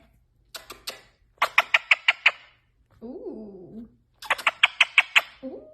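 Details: Pet yellow parrot indoors in a small room, giving bursts of quick, clicking chirps in short series, with a lower wavering vocal sound in the middle of the clip; a person speaks softly to it.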